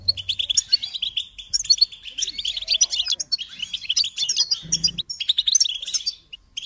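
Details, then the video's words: ['A lively, jingling song from a European goldfinch, made of rapid chirps and buzzy trills, with a short low rumble partway through.'] "Encouragement to motivate and support goldfinches in songs"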